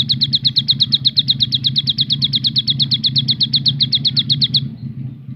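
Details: Javan sunbird delivering a "tembakan" (shooting) burst: a fast, even string of high, piercing ticking notes, roughly six per second for nearly five seconds, over a steady low hum, then stops abruptly.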